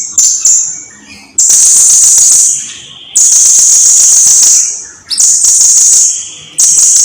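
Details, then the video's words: Blue-crowned hanging parrot in lively song, from a long tutor recording for teaching birds to sing: long, loud, very high buzzy trills in bursts of one to two seconds, with short thin notes in the brief pauses. "Kicauan Suara Burung SERINDIT GACOR !! Durasi Panjang || Sang Guru Vokal"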